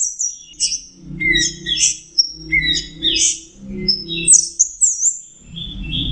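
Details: Orange-headed thrush song of short, rich whistled and warbled phrases, some rising and falling sharply, alongside a steady low humming or instrumental background.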